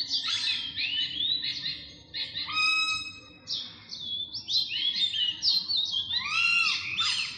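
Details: A Philippine magpie-robin, recorded 14 April 2022, sings a rich, varied run of clear whistles, slurred notes and quick chattery phrases, some rising and falling, delivered almost without pause.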